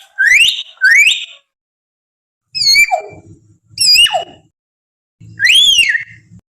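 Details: Wild common hill myna, played as a lure to prompt captive birds to sing quickly: five loud, rich whistles in two groups, sharply rising then swooping down, with harsh overtones and short gaps of silence.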